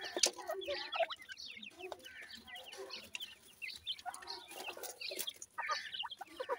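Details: A group of grey francolin chicks, known locally as teetar, keeps up dense high chirping, short rising and falling peeps from several birds at once, with occasional soft lower clucks and bursts of rustling.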